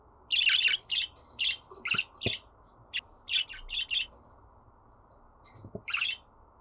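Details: Pet budgerigar chatter intended to prompt singing: a fast series of bright chirps, some doubled, spaced roughly every half second for four seconds, a quiet gap, then one more chirp with faint clicks.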